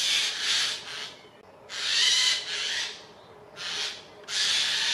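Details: Eurasian jays mobbing an eagle owl in Dannenberg (Elbe), Germany, on 31 May 2024; four long, loud, rasping screeches, some drawn out and doubled, separated by brief gaps.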